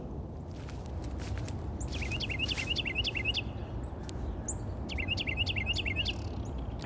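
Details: A Carolina Wren in December gives two quick bursts of bright, rolling, repeated whistled phrases, each run lasting about a second, over a steady low rumble of background noise.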